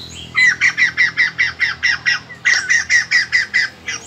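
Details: White-crested laughingthrush in song training, 2020 season, giving a loud, harsh chatter: rapid squawking notes about four per second, a brief pause, then another fast burst.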